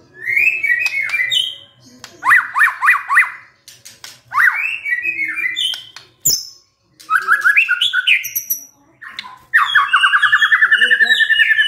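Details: White-rumped shama lure song, played to set a stressed shama singing: loud varied phrases of quick rising whistled notes near the middle, trills, short high chips and a final long run of rapid repeated notes, with brief pauses between phrases.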